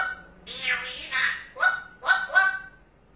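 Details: Pet parrot reacting on seeing a cat through the window: two drawn-out, harsh, harmonic cries, then three short, sharp squawks in quick succession, in a quiet indoor room.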